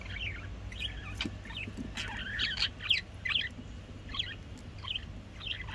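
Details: Pet budgerigars chattering: a steady string of short, scratchy, warbled chirps at a high pitch, spaced about every half second, over a constant low hum in the room.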